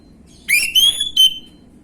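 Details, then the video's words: Gamblingan-style orange-headed thrush song, a lure recording for untrained birds: one clear whistled phrase that climbs, holds a bright note, then breaks into a short stuttering ending, with a faint steady hum behind. "PANCINGAN ANIS MERAH BAHAN/GAMBLINGAN | Gak Pake Lama Langsung Ngrespon Bunyi"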